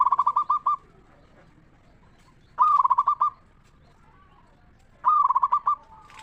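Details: Local Indonesian zebra dove singing in the crisp 'ngeristal' style, used as a lure recording to make other zebra doves answer. Three rolling, stuttered coo phrases of about seven quick beats, spaced roughly every two and a half seconds.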